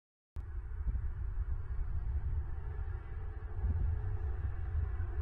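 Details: After a brief silence, a steady low rumble and hum continue with faint thumps and no animal calls.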